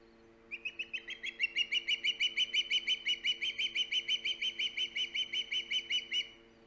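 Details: Hog Island osprey calling at the nest on 3 September 2019: a steady volley of about thirty high, sharp whistled notes, evenly paced near three per second, loud and level in pitch, with a low steady hum behind.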